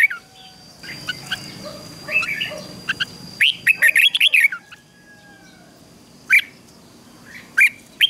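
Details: Caged red-whiskered bulbul singing ché song to rouse males: soft scattered notes over background hiss, then a loud burst of rapid rich warbling, followed by two isolated bright whistled notes after quiet gaps.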